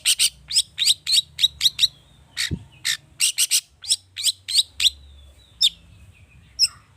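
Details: Long-tailed shrike in an emotional lure recording, packed with rich mimicked filler, used to make other birds sing. A steady series of short sharp chirps, nearly one every third of a second, with a few thin trailing whistles.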